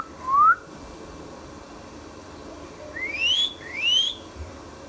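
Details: Indian ringneck parrot, a pet talking bird, gives three clear whistles, each sliding upward, the first alone and the last two close together.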